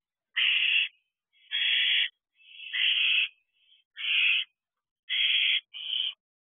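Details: Barn owl owlets at night in an owl box, late June at about half past ten: harsh hissing screeches, each about half a second long, repeated roughly every second, with no other sounds.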